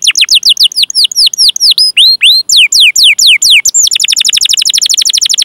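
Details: Canary song used as a training recording to coax young, untrained or silent canaries into singing; rapid series of sweeping whistled notes, downslurred then upslurred, running into a fast even trill of short repeated notes near the end.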